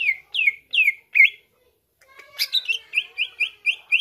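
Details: Greater green leafbird song to provoke rival leafbirds: three loud descending slurred whistles and a rising twist, a silent gap, then a jumble of sharp notes leading into evenly repeated upswept chirps.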